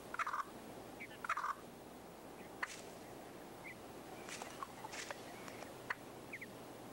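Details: Willow Ptarmigan, a ground-nesting bird that fiercely guards its nest of 6–11 eggs, giving short, harsh clucking notes, a few of them doubled, spaced irregularly over several seconds against a steady background hiss.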